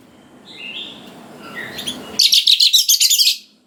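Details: Oriental magpie-robin song used to provoke young wild birds into answering: faint rising whistles over a low hum, then a loud run of about ten rapid, harsh, buzzy notes.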